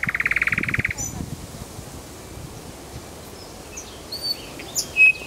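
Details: Nightingale singing in Kuzminsky forest park: a fast, even burst of about eighteen buzzy repeated notes lasting under a second, then a pause and scattered sharp, high whistled notes and short chirps against faint background hiss.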